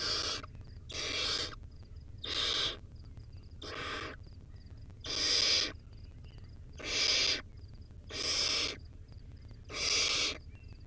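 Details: A wild barn owlet feeding on a rodent, recorded by a nest live-cam, utters a series of eight or nine loud, breathy, rasping hisses, each around half a second, in a fairly steady rhythm, with soft high chirps behind.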